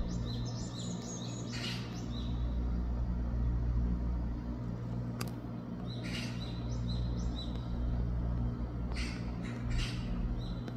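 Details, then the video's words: Young Japanese tit on 2 August 2024 calling in brief high buzzy chirps, grouped in clusters several seconds apart, with a constant low rumble and a sharp click in the background. "아기박새 소리"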